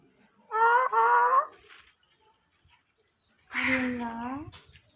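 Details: Talking pet parrot speaking Urdu/Hindi phrases: two quick nasal, speech-like syllables, a pause, then a longer drawn-out falling utterance, with faint background music.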